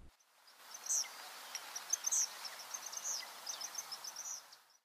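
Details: Eastern Kingbird along Sevenmile Creek on an early-August morning, calling vigorously over a Cooper's hawk perched in a chokecherry: high, thin, sputtering buzzy notes in irregular bursts while mobbing, over steady background hiss.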